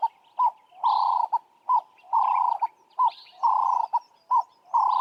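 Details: A ring-necked dove (Streptopelia capicola) of southern Africa gives its rhythmic, mid-pitched cooing: a short note then a longer rolling coo, repeated steadily about every second and a quarter.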